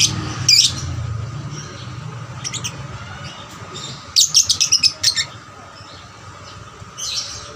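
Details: Young lovebird calling, used to stimulate other lovebirds to sing; isolated high chirps and buzzy notes, then a short quick series of about six sharp chirps, over steady background hum.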